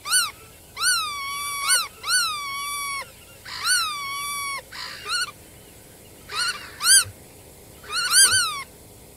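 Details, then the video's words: Long, level nasal calls from a black-tailed godwit, sometimes held over a second, alternating with shorter arched notes and brief pauses. "黑尾鷸(黑尾塍鷸)/Black-tailed Godwit"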